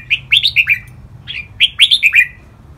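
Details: Training song of a red-whiskered bulbul in the 'len rik', 'boen' and 'lak wai' styles: two quick phrases of clear, rolling whistled notes, each phrase a tumbling string of four or five bright syllables separated by a short pause.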